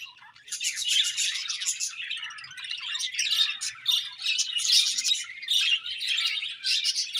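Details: Continuous morning warbling from pet budgerigars: unbroken high, scratchy chatter of quick buzzy and whistled notes rising and falling in loudness, with no other sounds.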